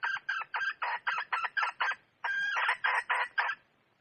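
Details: Red junglefowl hen cackling in two bursts of rapid, rasping clucks, the second opening with a longer drawn note, then fading out.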